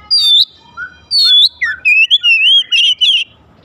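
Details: Oriental magpie-robin song used to stir other magpie-robins to sing. Loud, varied whistles with sharp downslurred notes open the phrase, then a rolling warbled run of fluid notes follows. There is little background noise.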